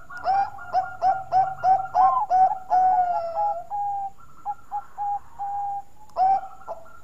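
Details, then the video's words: Melodious Bangkok-type zebra dove: a fast chain of short, even coos with a higher overtone, a long sliding coo, quieter scattered notes, then one more strong coo. "Burung Perkutut Bangkok Suara Merdu"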